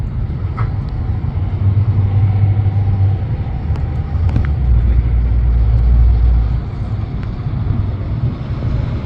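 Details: Loud, deep rumble of passing road traffic fills the recording, with a few faint clicks above it.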